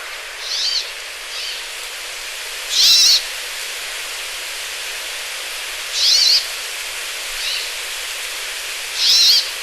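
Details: Brambling song from an online source: drawn-out buzzy, wheezing notes repeating about every three seconds, with softer fainter buzzes between them, against constant background hiss.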